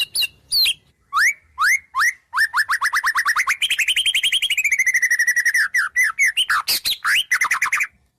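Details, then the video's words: White-rumped shama in full song stuffed with mimicked wild bird sounds: clear upslurred whistles, then a long fast trill of repeated rising notes, followed by varied chattering and sweeping phrases, loud and continuous. "Suara Murai Batu Full Isian Burung Alam, Nyatu Banget!"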